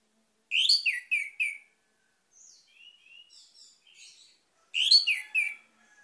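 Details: Orange-headed thrush singing a loud three-note slurred whistled phrase, followed by soft, higher warbling notes, then the bold descending phrase again.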